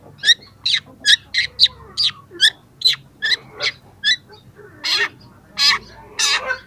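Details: Young long-tailed shrike pouring out song as it starts showing its repertoire, meant to draw reluctant shrikes into singing: a steady series of sharp clipped notes about two per second, then louder drawn-out harsh calls.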